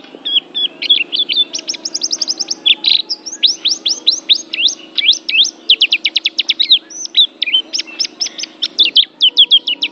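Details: Oriental white-eye, a Banten pleci described as an Asian champion, singing a rapid, continuous high twittering song of sharp descending and rising chirps, with fast trilled runs of repeated notes and no other clear sounds.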